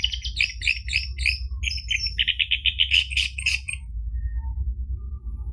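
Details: Rapid chattering orange-headed thrush song from a recording meant to make a silent caged bird sing: about four seconds of quick, evenly repeated harsh notes, followed by quiet with only a low room hum.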